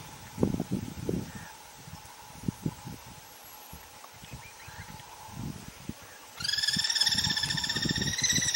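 Guira Cuckoo giving a loud, harsh, steady ringing call in the last two seconds, after low thumps and muffled handling noise.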